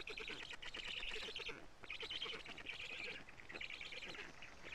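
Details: Karula, Estonia: black storks on a live nest camera on 14 June 2017 at about 17:55, with an adult feeding big fish. Grating, buzzy phrases run in long bursts broken by brief pauses.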